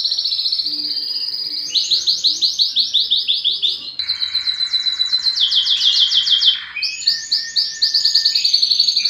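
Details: Song of a yellow canary: rapid repeated trilled syllables, each phrase stepping to a new pitch, with a brief lower buzzing passage in the middle, loud and unbroken throughout.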